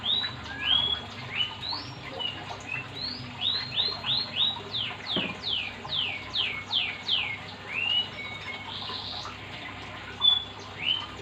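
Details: Oriental magpie-robin song, meant to draw other magpie-robins into singing. A long, fairly soft series of sharp downslurred whistles repeated about once every half second, over steady background noise.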